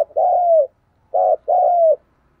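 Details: Caged decoy spotted dove kept by bird keepers, giving the 'thúc gù' urging coo: a long, smooth, mid-pitched coo that falls slightly at the end, then a brief clipped note and a second long falling coo. The background is otherwise quiet.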